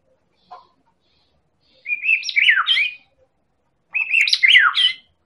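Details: Medan white-rumped shama in song, meant to coax other birds into singing: one short low note, then two bright, high, tumbling warbles of about a second each, two seconds apart.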